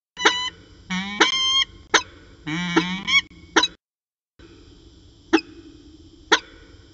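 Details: Two peregrine falcons calling back and forth at Orange on a January 2019 afternoon: clustered nasal, slightly rising wails with sharp chips, then a pause and two isolated clicks, steady mechanical hum underneath.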